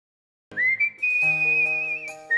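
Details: Cockatiel whistling the tune Let It Go: after half a second of silence, a clear, pure whistle rises and holds one high steady note, with music playing along underneath.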